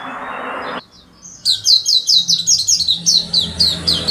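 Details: After a moment of noise and silence, an oriental white-eye bursts into an energetic, unusual song of quick, high, repeated chirping notes, about three per second.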